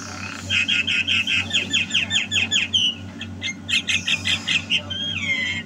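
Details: Javan myna singing actively at home: a rhythmic chain of buzzy chattering notes, about two and a half per second, then louder repeated harsh notes and a slurred whistle, with a low background hum.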